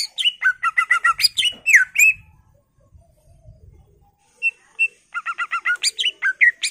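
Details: Energetic greater green leafbird song with full isian phrasing, meant to provoke other birds into singing: rapid, repeated double-whistled notes and buzzy slurs, then a pause with faint low rustling, then the quick whistled series resumes.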